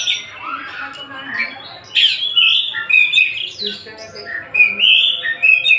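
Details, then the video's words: Oriental magpie-robin (kacer from Tasik) singing varied phrases. Soft warbles open, then louder whistled and buzzy motifs repeat at an irregular rate of about two dozen per minute. "Kacer Tasik Muni"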